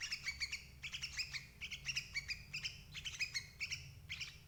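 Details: Sooty-headed bulbul calls used as a lure for trapping adult birds: bright, chirpy notes in short clusters, coming several times a second with brief gaps, over a low steady hum.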